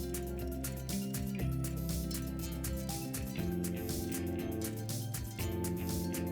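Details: Instrumental music with a steady beat and sustained chords plays throughout, and no animal sound can be heard.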